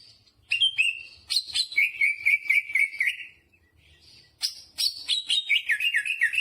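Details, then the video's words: Greater green leafbird in vigorous song, with repeated whistled notes on a steady pitch, a brief pause, then a cascade of falling whistles and chips. "Burung cucak hijau gacor istimewa full muntah isian jamtrok"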